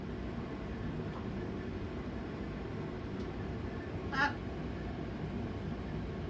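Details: A pet macaw named Captain lets out one short, harsh, ringing scream partway through, over a steady low indoor hum; the owner calls the screaming attention-seeking behaviour best ignored.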